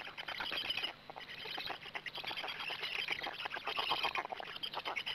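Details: Black stork nest in Gemenc, evening of 13 May 2017, during an adult's arrival and feeding; harsh broadband rasping with quick ticking pulses, a short quieter gap near one second, and faint high chirps.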